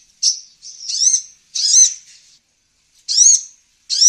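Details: Lure recording of olive-backed sunbird calls used to attract wild birds. Drawn-out high, wavering squeaks are spaced about every three-quarters of a second.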